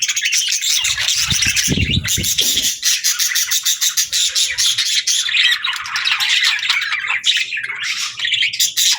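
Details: Many budgies chirping, played so a lonely pet bird feels safe: a steady, dense chatter of sharp repeated chirps, with a few deeper thumps around the second mark.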